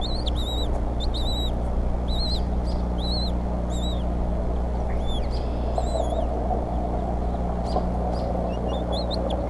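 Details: At the Decorah bald eagle nest, the mother feeds young eaglets while the father delivers prey, evening of April 8, 2014. A rapid string of high, bent whistles runs for several seconds, then thinner notes trail off, over steady background hum.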